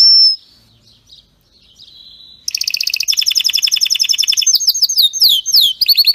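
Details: Singing canary in a strong song intended for training other canaries: a thin whistle and soft fading notes, then a loud burst of rapid rolling trills and sharp downward chirps repeated quickly.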